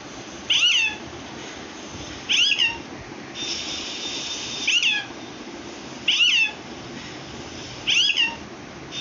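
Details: Parrot trying to say "Allah": five short, harmonic calls, each sliding downward, repeated about every two seconds over a steady background hiss.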